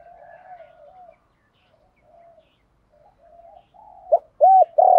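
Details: Spotted dove 'thổ pha đồng' song. Long, quiet stretches of soft low murmuring lead into a sharp note, a loud arched coo and the start of a strong coo at the very end.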